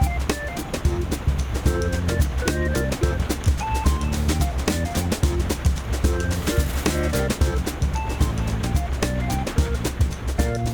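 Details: Steady music with a heavy bass beat and melodic notes throughout, with no animal calls heard.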